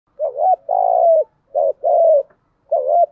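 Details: Decoy spotted dove calling continuously in the thúc gù style, switching song patterns to draw wild doves to answer; low, hollow, wavering coos in five phrases separated by short pauses, over a quiet, clean background.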